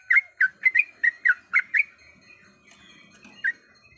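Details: Calling female sooty-headed bulbul, seeking a male, gives eight quick, sweet chirps in under two seconds. A quiet pause follows, then one final chirp, with a faint high tone in the background.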